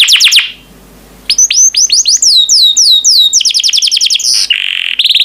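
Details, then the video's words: Yellow canary kept as a pet bird singing loudly up close: rapid high downslurred whistles, a pause, then long runs of swooping notes and quick trills that shift in speed and pitch. "Burung Kenari Kuning yang Cantik || Suara Merdu & Warna Menawan"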